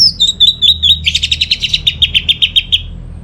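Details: Orange-headed thrush song played to lure home birds into singing: a high descending whistle, a string of about six clipped notes, then a fast buzzy rattle of roughly a dozen pulses, over a faint low hum.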